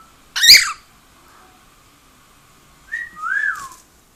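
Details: Pet cockatiel at home, singing and making noise: a loud harsh squawk near the start, a pause, then a short rising whistle followed by a longer arched whistle that swoops up and falls away.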